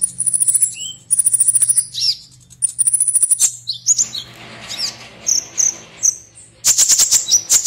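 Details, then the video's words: Konin (Purple-throated sunbird) in an online song competition, Serang, Banten, Indonesia: fast, very high rattling trills in short runs, then varied twittering chips and a closing burst of rapid high notes. "LOMBA KONIN ONLINE 15"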